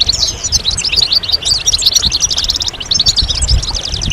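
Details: European goldfinches in a group chorus of twittering, mating and readiness calls meant to stimulate males to sing: dense, rapid high chirps and buzzy trills overlapping continuously, over a low rumbling background noise.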